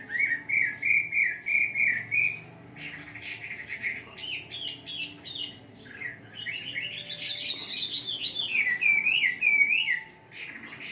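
Mountain Tailorbird song: high, thin whistled phrases, warbling and rising and falling, repeated rapidly with short trills in between. A faint background hum is also heard.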